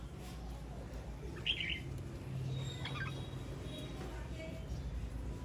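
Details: Two short sweet whistled phrases from a male red-whiskered bulbul in song, separated by about a second and a half, with constant low hum behind.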